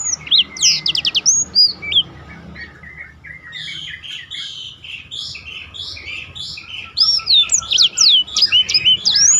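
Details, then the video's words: Black-throated canary, roll song used to train contest birds: fast trill and whistles at first, a softer warbling chatter through the middle, then loud quick slurred whistles repeated about three per second toward the end. "biar kecil suaranya mahal roll istimewah"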